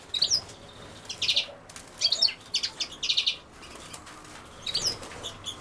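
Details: European goldfinch, linked to common sowthistle, giving clusters of high, tinkling chirps in short bursts about once a second, with brief gaps of quiet between groups.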